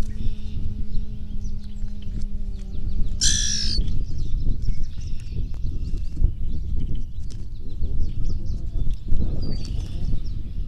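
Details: Common grackle puffing up and giving a little screech: one harsh, ragged burst about three seconds in, lasting under a second, then quiet, over a steady low rumble and faint hum.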